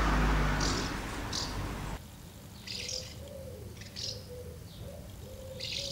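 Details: Many house martins gather at two nests, feeding young and fledging with brief scuffles, on 24 August 2012. They give short, dry chirps in scattered bursts, several at once, over a faint low tonal hum; the opening carries rough wind-like noise.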